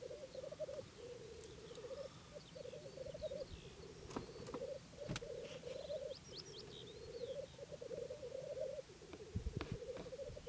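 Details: Black grouse in April 2011 give a steady, low, dove-like bubbling coo that rolls on almost without pause, with faint higher squeaks and a few sharp clicks over it.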